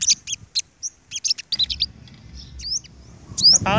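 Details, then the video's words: Olive-backed sunbirds in a flock squaring off against leader males: scattered high chirps and short trills, then brief rising whistled notes, with a low rumble and a man's voice near the end. "Bây chim hút mật 5màu đối đầu với những con " Đ.ầu đ.àn ""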